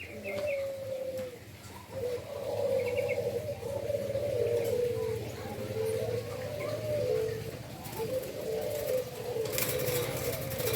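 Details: Endemic Indonesian doves in a breeding setting in Indonesia give low, continuous rolling coos, wavering phrases running into each other, over a steady low hum with a few faint higher chirps.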